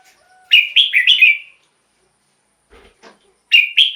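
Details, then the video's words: Caged-bird recording of a red-whiskered bulbul, played as a decoy or to excite other birds: a rapid phrase of four clear whistled notes, a few soft clicks, then the phrase starting again. "เสียงนกกรงหัวจุก สำหรับต่อ หรือ เปิดให้นกคึก เสียงเพราะๆ"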